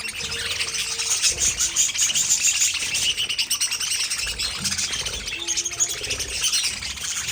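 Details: Budgerigars twitter in a lively chorus, including a quick run of thin, evenly spaced whistled notes early on over steady scratchy warbling.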